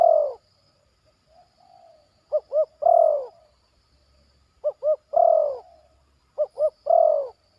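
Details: Zebra dove, a young trainee bird in the yard, giving 'batuk' and point-scoring coo phrases: two quick hooked notes followed by a long, falling, mellow coo, repeated about every two seconds, three times, in quiet surroundings.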